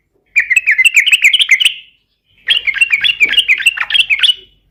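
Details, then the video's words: Yellow-vented bulbul in 'garuda' style song, used as a lure so other bulbuls quickly start singing. Two long phrases of rapid, bubbly, warbling notes are separated by a short gap, with a faint low rumble under the second. "SUARA trucukan gacor garuda pancingan trucukan agar cepat gacor ropel garuda langsung nyaut"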